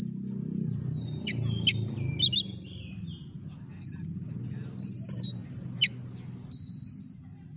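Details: Oriental magpie-robin song used as a lure to get a lazy bird singing: clear, high, rising whistles and sharp clicks spaced apart, with a steady high tone and a low rumbling hum underneath.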